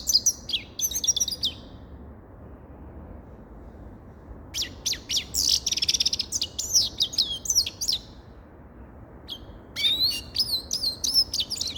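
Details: A grey-crowned goldfinch sings in three bouts of high, tinkling twitters, each a quick string of sharp chirps and short buzzy notes, separated by short silences.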